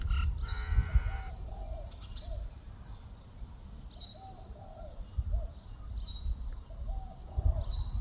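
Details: Common myna in New Zealand: high, sharp squeaky notes repeated roughly every one and a half to two seconds, mixed with lower soft hooting notes and a brief burst of chatter at the start, over low rumbling background noise.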